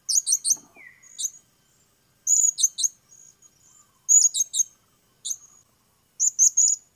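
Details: Repeated bursts of rapid, shrill, very high twittering squeaks from a Blue-crowned hanging parrot, grouped in clusters of three to five notes about every second, with a brief lower squeal early on.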